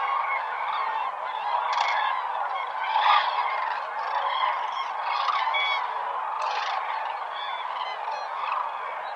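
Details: At Lake Hornborga in the early morning light, masses of common cranes call together: a thick chorus of rolling, trumpeting fanfares, with a few louder honks rising above the crowd about every second or two.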